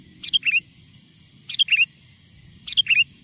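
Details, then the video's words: Wild-type sooty-headed bulbul song played as a lure to attract wild bulbuls: three short, bright, chortling phrases of a few quick notes, spaced about a second apart, over a soft low rumble. "SUARA PIKAT BURUNG KUTILANG GACOR, PANGGILAN KUTILANG LIAR AGAR MENDEKAT!!"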